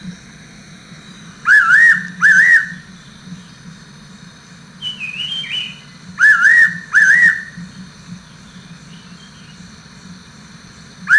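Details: Fairy pitta (Pitta nympha) giving clear, wavering two-note whistles in pairs, repeated every few seconds; a higher whistle from another bird and a low steady hum in the background.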